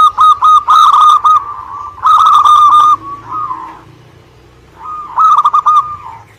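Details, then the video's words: Local Indonesian zebra dove in lively song, delivering long runs of loud stuttered coos, with a softer, lower coo heard between phrases. "Suara Gacor perkutut lokal"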